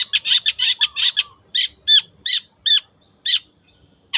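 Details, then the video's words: Wild long-tailed shrike in full song delivers a rapid burst of harsh chattering notes, then a slower run of hooked, downward-curving notes with brief pauses between them. "PANCINGAN CENDET GACOR SUARA BURUNG LIARAN"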